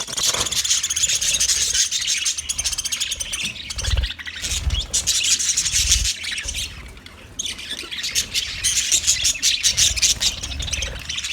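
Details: Budgerigars chattering on 29 February 2024: a continuous, high, buzzy warble of overlapping chirps, briefly thinning midway, over soft low knocking sounds.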